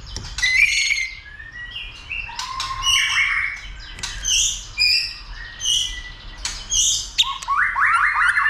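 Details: Shama being stirred up to sing and duel, flicking its tail; fast mix of sharp high notes, slurred mid-pitched phrases and a rapid descending trill at the end.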